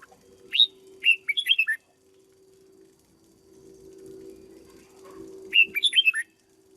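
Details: Caged red-whiskered bulbul kept and trained as a decoy bird: two loud, quick phrases of five or six bubbling whistled notes, rising and falling, a few seconds apart, with a steady low electrical hum in between.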